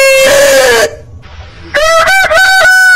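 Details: A heritage-breed rooster ends a smooth, falling crow, then after a near-silent second another rooster gives a broken, pulsing crow with a rising tone.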